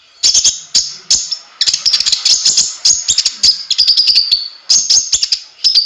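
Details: Konin (kolibri ninja) in lively song, dense bursts of high, sharp, clicking notes and thin squeaky phrases, delivered in rapid clusters separated by short gaps.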